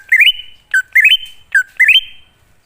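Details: Wild-type greater green leafbird song used as a lure for newly caught or non-singing leafbirds: three loud phrases, each a short low note leaping into a stepped, rising whistle that trails away.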